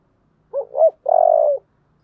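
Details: Spotted dove with a "giọng thổ" song: a pair of brief, hollow coos, then one sustained, rough, pulsing note of roughly half a second. The phrase is delivered once in near silence.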